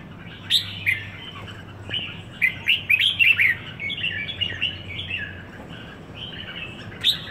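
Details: Red-whiskered bulbul (Merbah Jambul), one week in Singapore, singing bursts of bright, chirpy, warbled notes, clustered mid-clip with a loud final note, over a quiet low hum.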